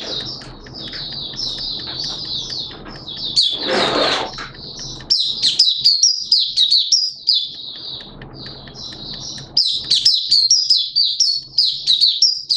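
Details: Kept Malaysian Oriental white-eye, recorded 21 June 2023, delivering rapid high-pitched twittering song in repeated bursts of bright chirps and warbles, interrupted once by a brief broad rustling noise, with soft low hum underneath.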